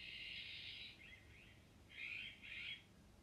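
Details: Iberian magpie, also called azure-winged magpie: a long harsh, rasping screech lasting about a second, two short fainter rasps, then after a pause two more grating notes in quick succession, over a quiet background.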